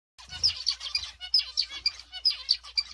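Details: Newly paired zebra finches; short bright nasal notes repeated in quick clusters of three to four, about once a second, with softer chattering between.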